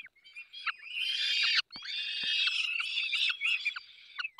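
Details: Peregrine falcon chicks fed by both parents in the Barycz Valley on 3 May 2024: steady, raspy screaming that runs on almost without a break, with short sharp clicks and a falling note at the close.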